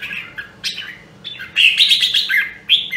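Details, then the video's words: Rare Nam Đông Huế red-whiskered bulbul in voice training, giving a loud, bright warbled phrase that swells in the second half, preceded by softer slurred notes. "Luyện giọng Chào Mào Nam Đông Huế Hàng Hiếm Còn Sót Lại ! giọng cực chất"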